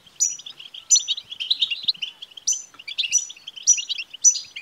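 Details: European goldfinch twittering song, played to stimulate a caged male goldfinch to sing: fast, liquid chattering notes with bright high tinkling phrases recurring roughly every second, continuous and without pauses.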